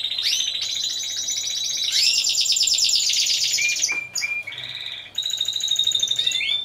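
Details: Singing Timbrado Español canaries, team category, at a 2015 song competition and exhibition: a long dense high trill, then brief clipped notes and a thin sustained whistled roll near the end.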